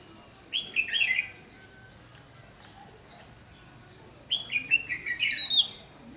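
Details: Red-whiskered bulbul decoy bird used for trapping, recorded 28 May 2016: two short bursts of bright, warbling, slurred notes, the second longer and richer, separated by a quiet gap, over a steady thin high tone and faint background hiss.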